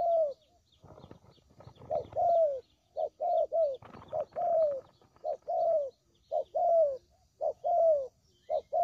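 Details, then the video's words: Spotted dove lure call for trapping: low paired coos, short then longer and falling, repeated at a steady pace, with brief rustling noise in the opening seconds and around four seconds. "Suara Pikat Burung Tekukur Paling JITU"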